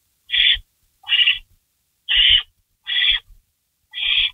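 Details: Barn owl giving harsh, breathy screech calls as a rabbit is delivered, 3:53 AM, May 16, 2012; five noisy hisses close together, separated by pauses under a second, with thudding scrapes underneath.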